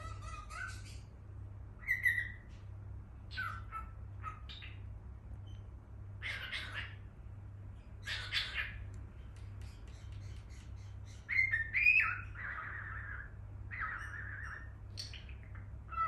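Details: Cockatiel (Nymphicus hollandicus), chirps and song.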